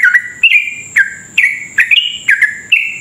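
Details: Rapid 'ropel' song of a sooty-headed bulbul, played to stir rival bulbuls into singing: short clear whistles, each swooping down then levelling, several per second, with a faint constant high-pitched hum behind.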